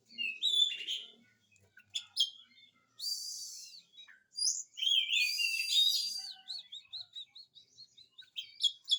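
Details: Oriental magpie-robin singing vigorously, used as a lure to prompt reluctant magpie-robins to sing. Varied high song of sweet whistled phrases, sliding notes and harsh buzzy bursts, then a rapid run of short repeated chips toward the end.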